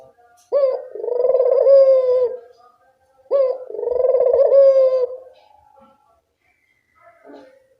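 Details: Barbary dove cooing strongly, as training sound for a dove that is slow to call: two long throaty rolling coos, each opening with a quick upward note, then near silence and a faint short note at the end.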